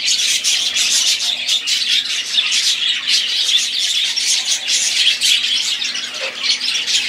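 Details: Budgerigars singing as a flock: constant overlapping chirps, squawky notes and warbles, pulsing in bursts roughly every half second, with occasional sharper squawks standing out.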